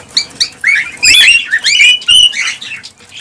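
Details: Cockatiel calls for stimulating breeding: a few soft chirps, then loud overlapping rising whistles and harsh notes, tailing off into quieter chatter.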